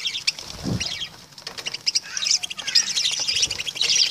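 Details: Lovebirds give scratchy high chirps and squeaks among clicking, rustling noises, the chatter growing louder and denser toward the end.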